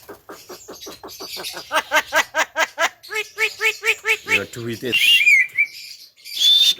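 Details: Javan myna in full vigorous song: a fast series of stacked, nasal, clucking notes repeated in even pulses, shifting to lower hollow notes, then finishing with thin high whistled slurs.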